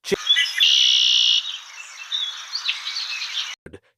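Blackbird song: a brief opening note, then a harsh, buzzy, high-pitched trill that wavers for about three seconds before stopping abruptly.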